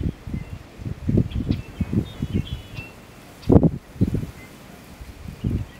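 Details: Male American bittern giving its display call, a series of deep, low, gulping onk notes; thumping pulses come in uneven bursts with a louder pair near the middle, with faint rustling in the background.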